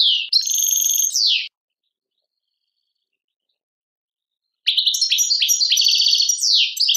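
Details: Tadmait-style European goldfinch song from Algeria. A buzzy trilled phrase ends in a descending slur, then after a three-second silence comes a longer run of rapid twitters, trills and tinkling notes.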